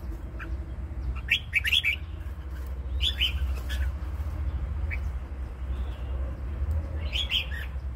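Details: Red-whiskered bulbul praised for its fine voice, singing short clustered chirping phrases of several quick warbled notes, separated by pauses, over constant low rumbling background noise and occasional clicking.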